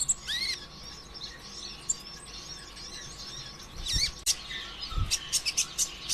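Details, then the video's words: Brown-throated sunbird, a 'konin ijoan' singing lure used to spur other captive sunbirds to sing: sharp high chirps and rising whistled notes, a quiet middle stretch, then a dense run of short piercing ticks near the end, with faint low thumps. "PANCINGAN ampuh suara konin ijoan KONSLET"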